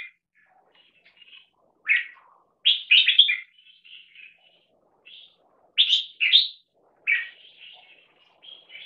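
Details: Captive red-whiskered × stripe-throated bulbul crossbreed, 1.5 years old, bred for singing contests, heard in a loudness test: loud, bubbly whistled phrases of two or three notes every second or two, with softer chattering between.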